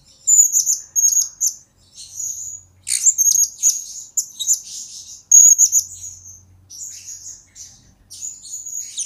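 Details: Blue-crowned hanging parrot singing, a lure and master recording for training birds: very high, thin, squeaky whistled notes in quick bursts with short pauses, some sharp chirps, a quiet faint hum beneath.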